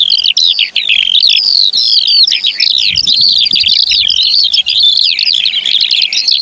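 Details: Eurasian skylark singing: an unbroken, high, rapid warble of tumbling chirps and slurred notes that pours on without pause, with a faint low rumble in the background midway.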